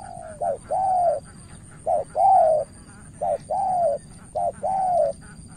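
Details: Spotted dove from Cà Mau, Vietnam, used as a decoy against an experienced opponent. Mellow coos in steady pairs, a brief note then a drawn-out falling one, about four phrases in quick succession.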